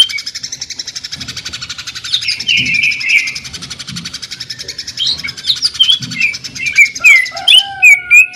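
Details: A greater green leafbird gives its sewing-machine-like jamtrok tembakan: a steady rapid buzzing trill at first, then wavering whistles, ending in loud, sharp, rapidly repeated chirps and whistled notes.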